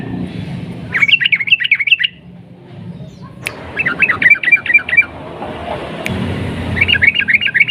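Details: Bulbul lure recording: a sooty-headed bulbul's 'nguklik' style song meant to provoke others to sing. Three chattering bursts of quick, jerky, up-and-down notes, each about a second long, separated by quieter pauses with faint clicks.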